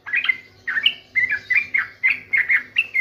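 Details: Sooty-headed bulbul singing: a run of short, bright, bubbly whistled phrases, each rising and falling, repeated in quick bursts about every quarter to half second, with a faint low steady hum beneath.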